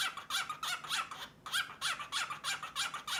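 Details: A male cockatiel switching his courtship display toward a female to a raspy, gurgling 'uju-uju' chatter, harsh buzzy bursts in quick succession with a short break midway.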